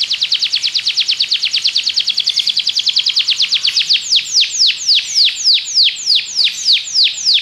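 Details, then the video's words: Belgian canary song meant to train other canaries: a rapid steady run of repeated sharp notes that slows into a series of loud downward-curving whistles. "Canário belga seduz todos os canários para cantar - treinamento de canário"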